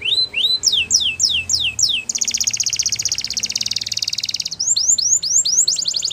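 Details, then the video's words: Belgian canary singing a training song: a run of clear falling whistled notes, then a fast rattling trill for two seconds, then more sweeping whistles. "Russian Canary Flute Singing"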